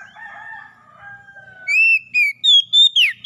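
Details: Oriental magpie-robin therapy song for captive birds. Opens with softer, lower drawn-out whistles, then switches to four or five loud, high, clear whistled notes ending in a quick rising-falling flourish.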